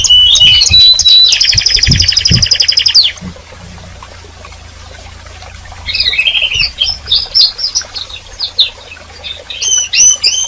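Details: Canary singing and calling: a loud, fast buzzy trill of rapidly repeated high notes for about three seconds, a quiet pause, then bursts of varied chirps and short whistled phrases resume toward the end.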